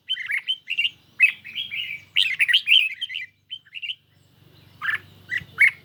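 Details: Caged red-whiskered bulbul singing on a lightly sunny day in a duel against a phone recording: bright warbled phrases with quick rising and falling notes, separated by short pauses, with a faint low hum underneath.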